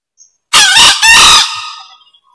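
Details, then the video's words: Green junglefowl, a rare wild fowl, crowing: one loud, grating, two-part burst of under a second, then quiet. "SUARA AYAM HUTAN HIJAU COCOK BUAT PIKAT BUNYI TERUS"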